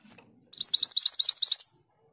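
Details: Scarlet minivet (mantenan gunung) in full song: a faint chirp comes first, then a brisk series of about eight bright, rising whistles spread over just over a second.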